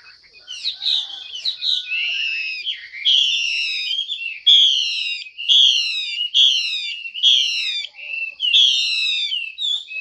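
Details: Female Chinese hwamei giving calls meant to prompt males into full song: a series of loud, harsh, downward-slurred whistles repeated roughly every second over a constant high background tone.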